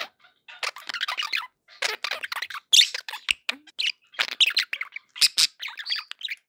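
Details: Pet budgerigars in a happy mood chattering with clustered buzzy chirps and squeaks, brief gaps between runs of warbling notes.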